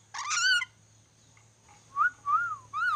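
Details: Ornate lorikeet from Sulawesi learning to whistle: a harsh, raspy screech opens, then after a pause come three smooth arched whistles, the last rising sharply, over a low background hum.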